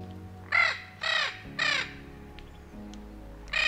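A Spix's macaw gives four harsh, raspy squawks, three close together and a fourth after a pause, over soft background music.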